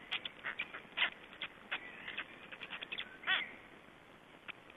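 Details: Black storks feeding at their nest in Estonia, 20 May 2012. Short rasping bursts and clicks, then a louder harmonic, nasal call around the middle before the sounds thin out.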